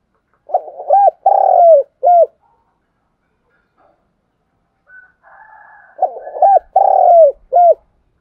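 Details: Lure spotted dove, trained decoy for trapping, calling: two phrases of low hooting coos, each a few short notes, a drawn-out descending coo and a clipped ending note, separated by soft quiet murmuring.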